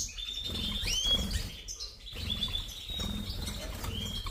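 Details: European goldfinch of the major form, Carduelis carduelis major, singing a bright run of twittering, slurred whistles and liquid trills in short bursts, with low rumbling background noise underneath.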